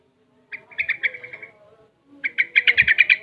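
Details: Six-month-old Sooty-headed Bulbul, learning ropel and garuda song styles, produces two fast chattering bursts of rapidly repeated buzzy notes, the second louder and longer.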